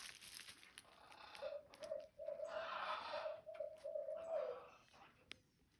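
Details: Barred owl, also called hoot owl, calling in a backyard: a run of low, hollow hooting notes on an even pitch, strung close together in a rhythmic phrase lasting about three seconds, with some background hiss and clicks.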